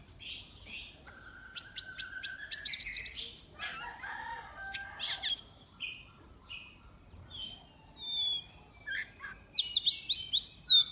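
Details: Oriental magpie-robin competing in an online singing contest, a kept bird from Miri, Sarawak: rich, varied song of clear whistles, sharp repeated chips and fast scratchy trills, ending in a high twittering burst.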